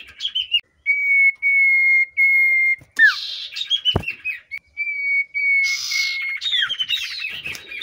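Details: Common iora (sirtu cipoh) in breeding condition, agitated on meeting a female, used as a lure recording for cage birds: long, steady whistled notes, then a burst of rapid, varied chattering and twittering phrases.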